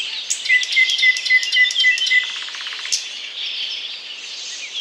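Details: Thrush nightingale singing in Bryansk: a run of pure, level whistles followed by a fast, low, dry rattle of even pulses. Other high chirping birds and a hissy background continue throughout.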